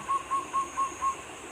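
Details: A zebra dove (perkutut) cooing around 2 a.m., five short, soft, even-pitched notes about a quarter-second apart over a quiet night background.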